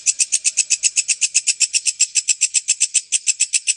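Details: White-breasted woodswallow song used as a training recording for lovebirds: a fast, steady series of bright, chattering high notes, about four per second, evenly pulsed throughout with no other sounds.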